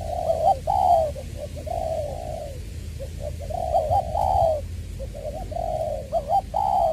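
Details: Caged decoy spotted dove from Long Đức, Trà Vinh, February 2021, with a 'giọng tiểu' voice: loud, soft-edged coos run together in rolling phrases, broken by brief gaps. A low hum sits underneath.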